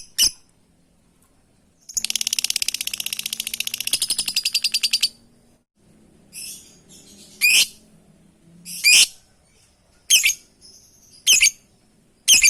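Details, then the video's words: Lovebird calling to its companions: a rapid, buzzy chattering burst lasting about three seconds, then sharp, high, screechy single calls repeated roughly every second, over a faint low hum. "Suara burung love bird memanggil kawan"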